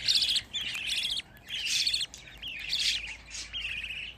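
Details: Budgerigar chicks, part of a group of fifteen young birds, give scratchy, high chirps in a few separated bursts with short pauses between them.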